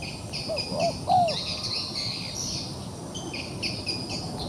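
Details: Wild pigeon caught in a trap and still fighting back: two short, low, arched cooing notes close together near the start, over a steady high buzzing of insects throughout.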